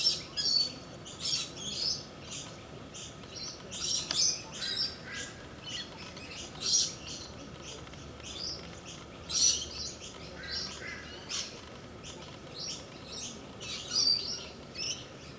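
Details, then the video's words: A pair of galahs playing together; harsh, scratchy high screeches come in short bursts every second or so across the recording, with a steady faint hum underneath. "Pair of Galahs playing"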